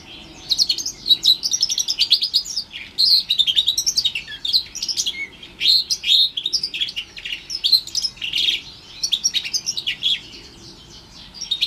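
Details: An about four-month-old house finch x Timbrado canary hybrid (mule), orange/brown, sings a continuous, rapid warbling song of bright chirps, trills and twittering phrases, high-pitched and lively throughout.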